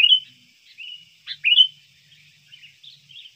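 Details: Sooty-headed bulbul sounds from a recording used to lure wild birds, also used to train caged birds: a few scattered high chirps and slurred whistled notes, a louder twisting burst in the middle, then softer fading notes.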